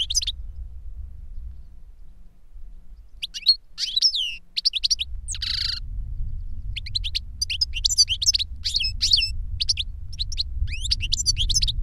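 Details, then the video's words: Caged European goldfinches, master and novice that learned the song via CD, sing quick twittering phrases with sharp whistles and one buzzy burst, busier in the second half, over faint low rumble. "Jilguero maestro cantando reclamo y enseñando a otro jilguero novel"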